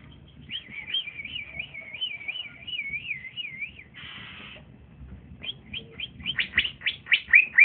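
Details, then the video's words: Young male green leafbird singing boldly in trotolan style beside another bird: a long warbling, rapidly wavering whistle, a brief buzzy burst, then increasingly loud quick high chirps. "c ijo trotolan jantan masih muda udah bunyi mantap di gandeng berani"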